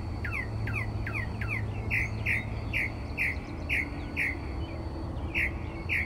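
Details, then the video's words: Night song of a mockingbird outside a Texas bedroom window at 4 am: quick downslurred notes repeated, then a steady run of rough, squawky notes about three per second. "Mockingbird Singing Outside My Bedroom Window...at 4am!"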